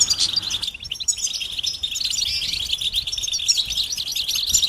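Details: Mating and readiness calls of the European goldfinch, used to prompt males out of silence; an unbroken stream of high, liquid twittering with quick trills, after a brief low rumble at the start.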